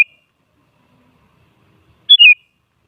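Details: Sooty-headed bulbul lure song, used to provoke other bulbuls into answering: after a click and near silence, one short whistled phrase of three quick notes, stepping down in pitch, near the end.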